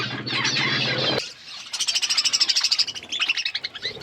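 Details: Flock of budgies eating: a second of dense warbling, a brief pause, then a fast run of clipped chirps, about three per second, tapering into softer twitter.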